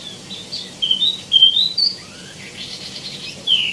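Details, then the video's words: Tieumi song of clear, level, piping whistles stepping upward in pitch, then a softer lower slur, a hazy burst and one final high note. "KICAU BURUNG WAMBI MINI ( TIEUMI ) GACOR | ISIAN MELIMPAH"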